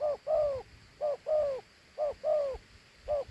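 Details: Handsome dove gives its two-note coo: a clipped opening note, then an extended falling coo. The phrases come about once a second over a quiet background.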